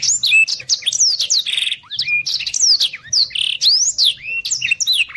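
A Black-throated Canary sings a fast, unbroken stream of high twittering notes with quick rising and falling slurs and buzzy trills, over a faint low hum.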